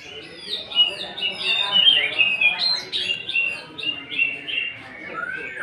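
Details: Greater green leafbird pouring out a lure song of rough fill material: a dense, continuous jumble of quick chirps, squeaky slurs and short whistles, varying in loudness, over a low background murmur.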